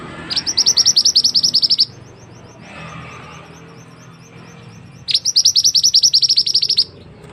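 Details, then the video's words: Mantenan bird, a tutor song for other cage birds, delivering two long bursts of rapid, high, ringing chirps, each lasting about one and a half seconds, separated by a pause of roughly three seconds with faint hiss. "burung mantenan yang handal untuk masteran"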